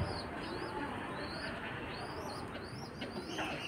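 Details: Pigeon young pestering their mother for food, heard as a run of thin, high, up-and-down squeaks, several in a row, against a dense hiss of background noise.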